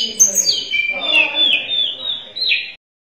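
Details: Singing Sunda robin, local name tledekan gunung: a flowing series of slurred whistles that drop in pitch, then a level warbled stretch ending in a bright rising note.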